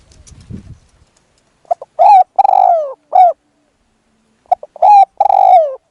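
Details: Decoy spotted dove used to lure a wild dove gives two cooing phrases, each of short soft notes and a prolonged falling coo. Faint rustling comes before the calls.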